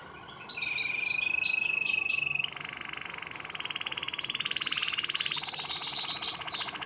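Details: A Harz Roller canary delivers continuous rolled song, a steady high trill that drops to a lower pulsed roll partway through and then carries on with chirped notes above.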